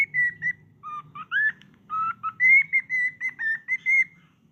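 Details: Two pet cockatiels at play; clear whistled notes, some level, some sliding upward, strung in a stuttering series of about fifteen short tones, over low background room noise.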